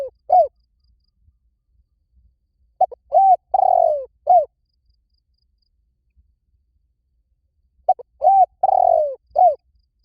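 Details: Spotted dove cooing: soft, low, hollow phrases of several notes with a drawn-out, falling middle coo, each phrase repeated after a few seconds of silence.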